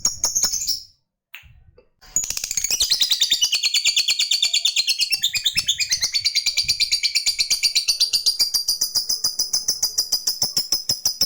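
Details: Fighter lovebird giving a long ngekek chatter to call a rival: after a short chirp and a brief silence, a sustained run of rapid, evenly repeated harsh chips, about two per second, gradually dropping in pitch toward the end.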